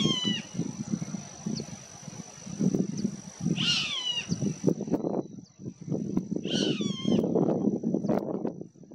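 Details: Roadside Hawk (Rupornis magnirostris) in Punta del Este, Maldonado, Uruguay, June 2022, giving two drawn-out, nasal, mewing screams that slide downward, a few seconds apart, over steady low wind rumble and a thin high insect whine.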